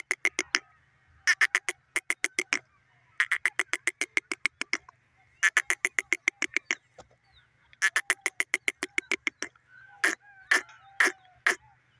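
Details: Francolin (teetar) giving rapid trains of dry, clicking, rattling pulses in four main bursts, each lasting one to two seconds. Sharper, separated notes follow, over a low steady hum.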